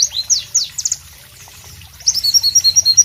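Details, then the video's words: White-eye (Pleci) song in tropical surroundings: a few sharp high descending notes, a short near-silent gap, then a quick burst of bright, twittering high chirps. "Masteran Pleci Bird Sounds Loud, Sharp and Melodious"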